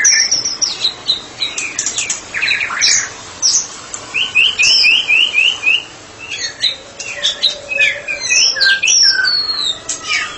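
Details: A therapy specialist white-rumped shama in ngeplong song: scratchy warbles, a quick series of identical upslurred whistles, then dense twittering and sharp chips.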